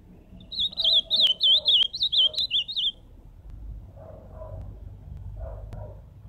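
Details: Ultramarine grosbeak (azulão) singing live: a fast run of warbled, wavering whistled notes around a steady high pitch lasting about two seconds, followed by quiet background with faint low murmurs.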